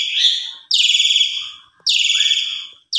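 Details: Javan pied starling, recorded as a lure to make starlings sing: rasping, broad buzzy notes roughly one second long, each fading away, with a faint low rising chirp between them.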